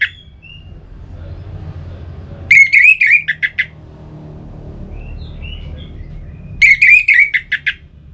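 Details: Orange-headed thrush song, played to rouse other birds into singing: two bursts of rapid, clear whistled notes warbling near the same pitch, each about a second long and several seconds apart, over a low steady hum.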